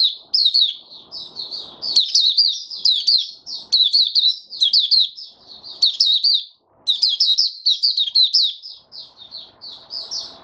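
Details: Opening song of a caged male white-eye working on his form: dense chains of thin, high twittering notes in fast phrases with brief pauses, and quiet low shuffling sounds between bursts.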